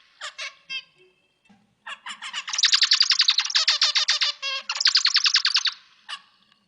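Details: Zebra finch song, a master recording for training birds: a few scattered chips build into a fast run of harsh, buzzy, evenly spaced nasal notes, about three seconds long, ending in single calls.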